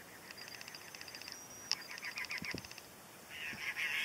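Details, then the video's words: A pair of cactus wrens, with unseen cactus wrens faintly singing back, gives a rapid, harsh, grating series of chugging notes, three or four a second, then a thin high whistle and a second raspy burst near the end. "The Sounds of Cactus Wrens"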